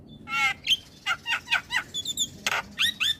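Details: Javan pied starling singing in the morning, played for young starlings to learn the song; a varied run of short harmonic chirps, whistles and harsh notes, about ten phrases in three seconds, with low background hum.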